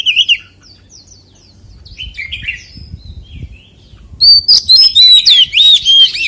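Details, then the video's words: Soft scattered chirps from an Oriental magpie-robin give way to a loud, rich forest-style song of looping whistles and rapid trilled phrases in the final two seconds. "CHÒE THAN HÓT GIỌNG RỪNG SIÊU HAY - Suara Burung Kacer Gacor"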